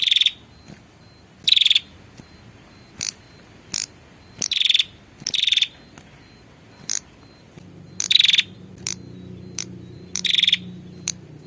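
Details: Female prinia calling the male, used as a lure call: short rattling buzzy bursts near the same pitch, repeated every one to three seconds, with sharp clicking ticks between them and a faint low hum late on.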